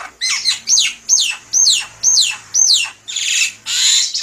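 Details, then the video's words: Melodious, nonstop singing of a Javan myna, recorded for use as a lure: harsh, downslurred squawking notes repeated about twice a second, loud and close, with two rasping hisses at the end. "SUARA MERDU BURUNG JALAK KEBO SUPER GACOR"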